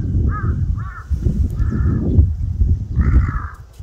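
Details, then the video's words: Crow crying: four harsh, nasal caws, the first two short and close together, the last two longer and drawn out, against a steady low rumble of wind or traffic. "까마귀울음소리 Crow crying ASMR"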